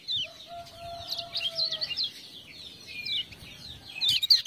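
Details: Lemon-bellied white-eye from Lombok singing in response to prompting "ciak-ciak" sounds: rapid twittering, zigzagging high phrases in bursts, with a steady low whistled tone underneath early on and a sharp louder burst at the end.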